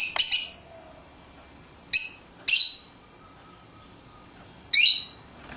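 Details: Pet lovebirds playing outside their cage: short sharp high squawking chirps, single or paired, spaced irregularly a second or more apart, in a quiet indoor room.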